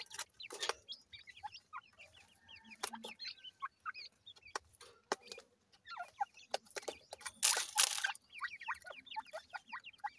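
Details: Young grey francolin chicks, called irani teetar, making many quick rising chirps in loose series, with sharp clicks and a burst of broadband scratching noise partway through.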